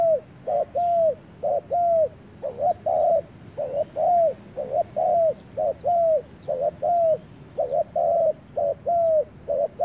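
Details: Spotted dove on its first outing to the forest, cooing steadily: a short clipped note followed by a longer bowed coo, the pair repeated roughly once a second for the whole stretch, faint thin chirps high above.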